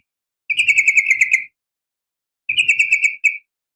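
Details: Female sooty-headed bulbul, or trucukan, calling to draw a reply from males. Two bursts of rapid, evenly pulsed rattling notes, each roughly a second long, separated by a pause, with a short extra note ending the second burst.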